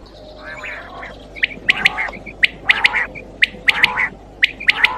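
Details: Quail calls for night hunting: sharp clicky notes paired with short buzzy, nasal bursts, repeated roughly once a second over a steady low hum and faint background noise.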